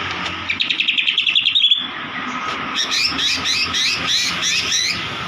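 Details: Oriental magpie-robin song meant to make a bird sing: a rapid rising series of about a dozen whistled notes, followed by looser chattering warbles, over faint low background rumble.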